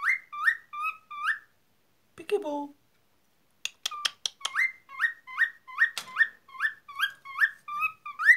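A cockatiel gives quick rising whistled chirps, repeated in steady bursts with a short pause.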